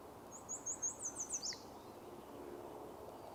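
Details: At a marsh in the early morning, a male Yellow Warbler, singing all morning, gives a quick run of about six bright, very high notes ending in an accented downslurred flourish, over soft hiss.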